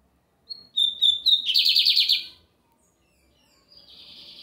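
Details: Sunday singing from a lined seedeater (bigodinho americano): a brief high note, three clear whistles, a fast grating trill, then quiet before a softer, fading high buzzy phrase begins.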